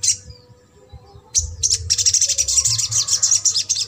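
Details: Crimson sunbird trotol song meant to stimulate a silent sunbird: a single high chirp, a pause, then a rapid, continuous, very high buzzing trill with a faint low hum beneath.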